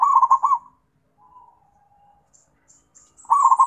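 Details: Zebra dove calling to companions, with two loud rolling coo phrases of quick stuttered notes separated by a quiet, drawn-out murmur and faint high chirps.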